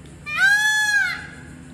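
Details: Peacock at Cracker Creek in Port Orange, Florida, giving one loud, nasal, wailing cry of under a second, rich in harmonics and gently arched in pitch, rising then falling, with a quiet background.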